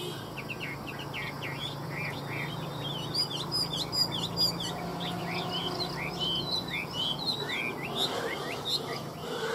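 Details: Vietnamese caged Chinese hwamei song: a steady series of short upslurred whistles and chirps, some doubled, repeated irregularly through the recording with a brief cluster of sharper high notes midway and a constant low hum beneath.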